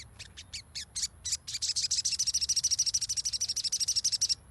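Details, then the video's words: Sogon song played as a lure to get a silent bird singing: a few spaced high chirps quicken into a long, fast, even run of bright repeated notes at about three per second. "PANCINGAN SOGON MACET AGAR BUNYI"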